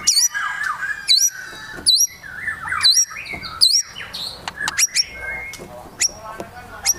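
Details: White-rumped shama singing in high excitement, short bright whistled flourishes with sharp high upsweeps repeated roughly every second, mixed with softer buzzy and twittering notes.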